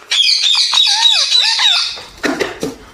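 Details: Talking parrot: about two seconds of continuous, harmonic voice with wavy pitch swoops, followed by two short, harsh bursts.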